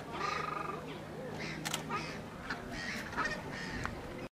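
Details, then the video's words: Several blue-winged geese at Slimbridge give a steady chorus of overlapping nasal, wavering honks, with a few sharper notes standing out. "Blue-winged Goose"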